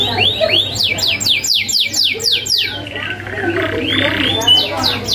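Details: Canary master song with sharp rolling fill: quick repeated downslurred whistles, a short buzzy patch, then a few high chips, with a continuous low hum behind.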